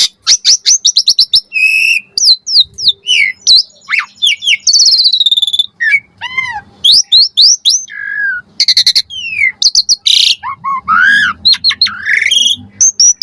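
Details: Asian pied starling song with varied fill-in phrases, played as a lure to make starlings answer: a dense run of high whistles, sweeping slurs and short buzzy chirps with brief gaps, quick and changeable throughout.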